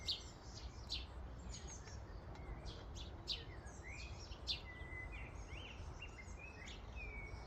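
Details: Busy chatter from a common starling flock at a feeding station, with dense high clicks and chirps mixed with short rising and falling whistles near the end, steady low background noise.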